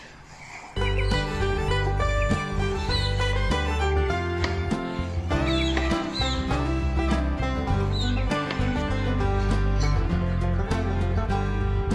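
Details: Steady, full instrumental music plays from under a second in to the end, with no clear animal call standing out.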